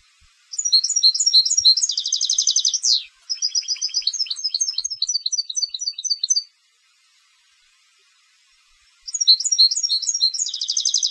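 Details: Competition European goldfinch singing: bright, high twittering phrases of rapid tinkling notes, a fast buzzy rattling trill and sharp downward sweep, repeated in bursts separated by a pause of about two and a half seconds.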